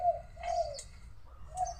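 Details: Captive lure dove cooing in a mango tree behind a house while a wild dove flies around nearby; low hollow coos, a long one at the start, another mid-clip and a third near the end, over a faint low hum.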